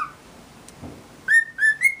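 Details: Two pet cockatiels relaxing together indoors and getting along trade clear, bright whistles, short notes stepping slightly higher each time.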